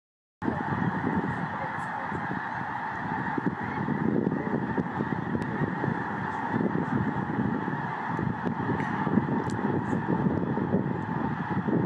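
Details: Several thousand snow geese lifting off together in a massive cloud at Emiquon on 27 February 2021: a dense, unbroken roar of overlapping honks and yelps that swells steadily for the whole stretch, with a low rumbling undertone beneath.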